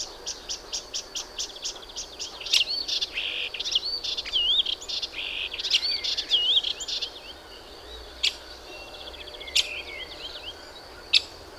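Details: Melodious warbler song: a series of quick repeated ticking notes leading into twisting whistled phrases and fast chatter, then fading to a few isolated sharp clicks near the end, over a faint background hum.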